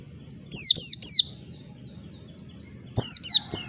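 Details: Oriental white-eye giving wild-type song meant to provoke rivals: two bursts of high, sharply descending whistled notes, three in quick succession, then a pause of nearly two seconds before three more.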